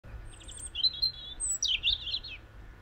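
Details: A European robin sings in spring, high, thin, liquid phrases: a quick twittering run, then a brief pause and a tumbling, slightly descending warble. Only a faint low hum lies beneath.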